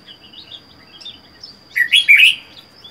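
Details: Red-whiskered bulbul, wild-caught and caged by itself for four months, delivers a loud rolling phrase of several rich slurred notes after soft distant high chirps, over a steady thin whine.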